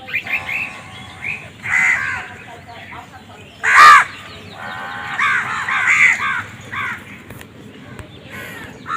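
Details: Crows fighting for food produce hoarse nasal caws, a cluster of repeated calls with one louder harsh burst midway, the calls overlapping irregularly against a quiet background.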